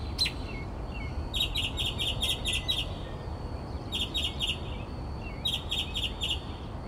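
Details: Mockingbird singing in the night in Texas at 4 am outside a bedroom window: rapid bursts of buzzy, harsh notes delivered in quick runs of about six, with pauses between runs, over low hum.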